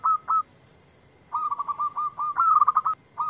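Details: Local zebra dove answering a lure recording with clear, repeated cooing notes: two short notes, a pause, then a long stuttering series of rapid coos that speeds up and ends, followed by one more note.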